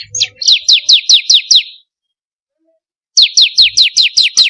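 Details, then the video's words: Lure recording of a bar-winged prinia, locally ciblek kristal, for caged birds: a quick burst of sharp descending chirps, over a second of silence, then another even run of high notes. "pancingan burung ciblek kristal paling ampuh || mp3 burung ciblek"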